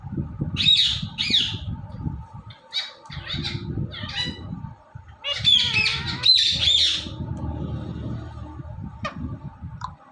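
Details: Pet talking ringneck parrot, described as talking and dancing, gives bursts of harsh, raspy chatter and squawks over about ten seconds, against a low indoor rumble and a steady hum.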